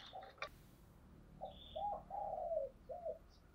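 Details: Spotted dove decoy calling to lure wild doves for trapping, in thổ đồng voice: a few low hooting coos, one longer and buzzy, over a steady murmuring background with a click near the start.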